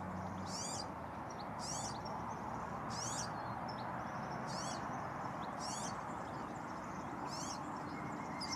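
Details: European serin (Serinus serinus) song: short, high, sizzling jingles about every second and a half over a steady broadband hiss.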